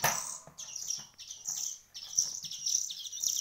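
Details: Chicks hand-fed for a week make insistent, high, wheezy chirping in quick bursts of about two per second, opening with a brief rustle.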